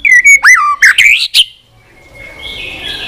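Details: A white-rumped shama sings on its perch after being provoked. A rapid run of bright whistles sweeps up and down, followed by a faint, sustained thin note.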